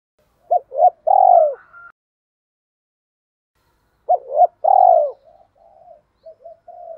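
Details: Spotted dove decoy from Hai Hau, Vietnam, calling to lure wild birds: two phrases, each two quick hooked notes then a long buzzy falling coo, followed by faint low murmuring notes.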